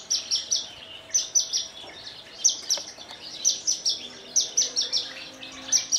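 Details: Kulon Progo Javan bush lark, a captive Indonesian bird delivering Jambul-style song with trembling wings; crisp very high chips repeated in rapid pairs and triplets, clustered in short runs.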